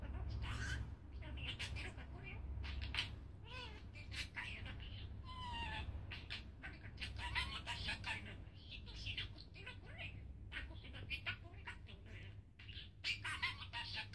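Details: A budgerigar, talking for the first time while its owner sleeps, chatters in a rapid, warbling stream of clicks, squeaks and speech-like mimicked phrases.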